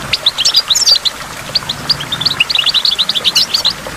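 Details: A goldfinch twitters by a waterfall among water drops, a quick run of high, sharp, slightly varied chirps that grows into a busy chattering trill toward the end.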